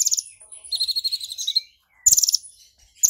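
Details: Brown-throated sunbird in full, excited song, provoked and fired up, its song filled with mimicked golden grasshopper notes: bursts of very high, rapid buzzy trills with a short pause between phrases.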